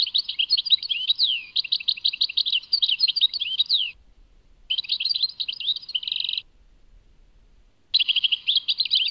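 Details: Tadmait goldfinch song in three bursts. Dense, high, tumbling twitters with swooping notes and a buzzy trilled section are broken by short quiet gaps.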